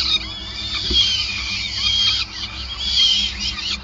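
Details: Calls at a peregrine falcon nest in Groningen during feeding, May 2020: scratchy, high screeching notes run together in rough waves, about one a second, with a constant low electrical hum beneath.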